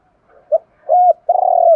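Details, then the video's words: Opening of a spotted dove's coo, used to prompt newly caught wild birds to call: a short soft note, a level mellow hoot, then a long rolling tremulous coo. "Tiếng chim cu gáy kich bổi mới[ tiếng thúc . gáy gọi ] chim cu gáy giọng hạp bổi, giúp bổi mau lên"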